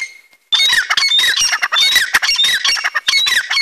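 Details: Pair of francolins (dakhni teetar) calling after being freed from a cage: loud, harsh, ringing notes with rising strokes, rapidly repeated and overlapping without pause after a short quiet start.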